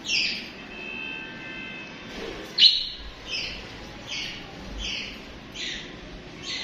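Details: Pet budgies chirping: a sustained tonal, harmonic note opens, then a loud squawk, followed by a steady series of short bright chirps repeated roughly every half second.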